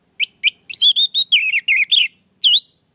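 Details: Orange-headed thrush singing, used as a prompt to get a reluctant caged bird singing: two clipped whistles, then a fluent run of slurred, warbling notes sliding up and down, ending with one separate looping whistle.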